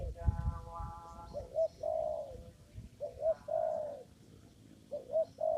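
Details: Spotted dove heard in a papaya garden used for lure trapping; repeated phrases of two short low coos followed by a longer drawn coo, about every two seconds, with faint higher tones early on.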